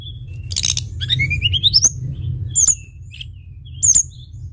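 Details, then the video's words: Sunda bush warbler singing actively, used as a lure recording: scattered sharp high chirps, then a quick rising series of thin whistled notes, followed by two piercing high notes about a second apart over a steady low hum. "pancingan tledekan gunung gacor"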